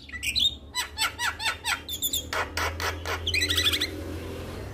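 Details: Male Black-winged starling calling its mate, a quick series of repeated rasping notes with hooked whistle tones, roughly five per second, ending in a fluttery high trill, low hum behind.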